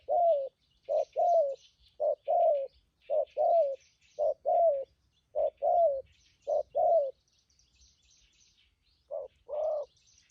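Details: Spotted dove, wild-caught trapping decoy with a strong voice, delivering a run of short-long hooting coo pairs about once a second in thúc gù style, then a pause and two more coos; faint chirping of other birds.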